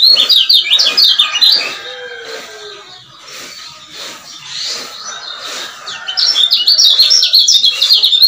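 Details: Male lemon-bellied white-eye of the Lombok type, used as a lure to get silent males singing again. Rapid, high, twittering chirps run in fast zigzag phrases. The bird goes quieter midway, then bursts back into dense chatter.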